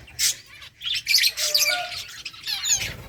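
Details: Several finches feeding on egg food give quick, high, squeaky chirps and short twittering notes. The calls overlap in rapid clusters with brief gaps between them, over a faint low background rumble.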